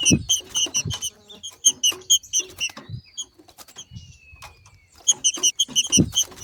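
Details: Female trinca-ferro, or green-winged saltator, 'macheando' outdoors to excite other birds into song: dense series of quick, high, clipped notes in clusters, a soft drawn-out falling whistle midway, and intermittent low knocking thumps.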